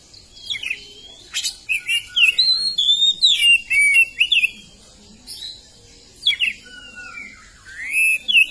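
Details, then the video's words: Oriental magpie-robin in full song: varied whistled phrases, some sliding down, others rising, mixed with sharp chirps in a busy stream with short pauses. "kacer gacor"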